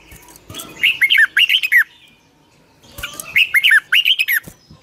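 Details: Red-whiskered bulbul morning song used as a model to train caged birds: two bursts of quick warbled whistles, rising then dropping, about two seconds apart.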